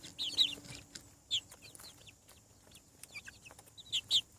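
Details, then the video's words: Newly hatching chicks on a farm giving high, thin peeps in short bursts, each note a quick downward-arching chirp, with pauses between clusters and faint background hiss. "Chick sounds. Hatching From Egg"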